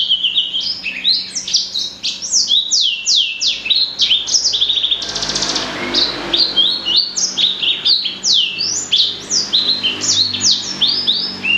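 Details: Melodious song of a blacksang, the blackthroat-sanger cross, a continuous flow of quick high sweeping notes and bright twitters with hardly a break across the whole stretch.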